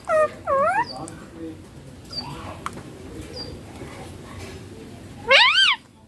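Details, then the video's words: Green Indian ringneck parakeet, a talking bird that says papa and mummy, utters two quick wavering harmonic syllables, then near silence with faint squeaks, and a final loud warbled phrase. "Ringneck green parrot loving papa mummy bolne wala"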